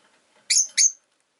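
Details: Rosy-faced lovebird chirping: two loud, harsh, buzzy high chirps in quick succession, the second trailing off, in a quiet room.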